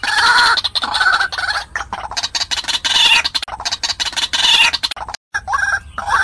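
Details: Recording used as a lure to draw wild white-breasted waterhens: rough, rapidly repeated honking notes over a hissy, crackling background, with a brief dropout near the end.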